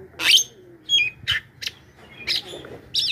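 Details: Javan myna calling loudly to lure wild birds: shrill squawks mixed with short whistled notes, arriving irregularly over a low background hum.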